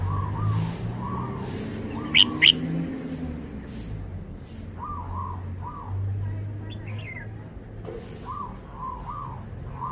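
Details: Caged red-whiskered bulbul showing off its song repertoire: short paired warbled notes in quick bursts, a sharp double high chirp near the middle, over a steady low hum and background murmur.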